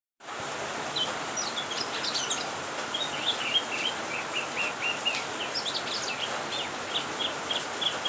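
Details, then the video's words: Leafbird (cucak kinoi) singing a lively string of short, high chirps and twittering notes, fast and uneven, over a steady background hiss. "Kicauan burung cucak kinoi"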